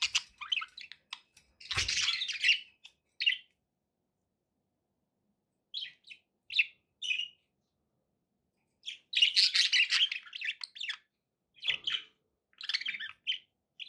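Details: Pet budgerigars kept indoors, chattering in separated bursts: scratchy warbled phrases, single chirps spaced a second or so apart, and long silent gaps between louder flurries of twittering.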